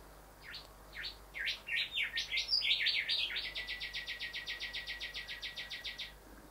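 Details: Rufous Whistler male singing at a window where he sees his reflection: a few sweeping, slurred notes run into a fast, even series of ringing repeated notes, about four per second, for several seconds.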